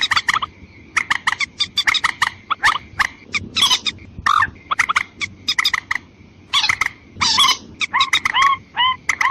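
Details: Lure recording of the white-breasted waterhen for attracting females and males: fast, scratchy croaks in bursts, ending with a few rising, curved yelps, and a steady thin high tone underneath.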